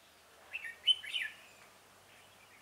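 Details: Red-whiskered bulbul singing as a trap decoy for wild rivals, 17 November 2017: one lively, fluty phrase of several linked whistles lasting about a second, then near silence.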